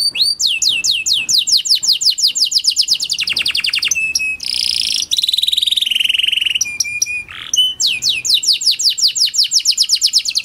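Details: Lure song of a Panda canary for stimulating silent canaries. A series of quick downward sweeps gives way to rattling trills, harsh buzzy phrases and whistled notes, then the sweeps return.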